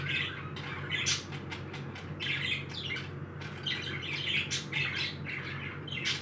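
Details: Harsh, grating squawks and quick chirps come from happy pet parakeets in uneven bursts, broken by sharp ticking notes over a faint steady hum.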